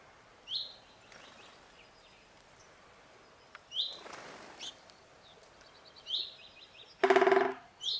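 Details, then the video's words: Great spotted woodpecker calling in the Vosges, Alsace: short, sharp, high single notes spaced a few seconds apart over quiet ambience, with a loud harsh burst near the end. "Présentation du pic épeiche et ses différents cris"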